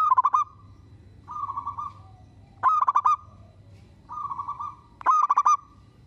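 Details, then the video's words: Indonesian local zebra dove singing to coax neighbouring doves into reply. Loud bursts of rapid stuttered cooing alternate regularly with softer, continuous trilled phrases, a call-and-answer pattern repeating every one to two seconds. A faint hum runs beneath. "Perkutut lokal gacor bikin semua perkutut kepancing bunyi dan langsung NYAUT!!!"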